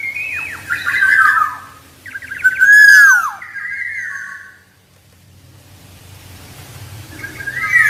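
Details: Black-naped oriole singing: fluty, slurred whistled phrases that glide down and then level off, in two bursts with a short pause, followed by a quieter whistled note at the end over a low background rumble.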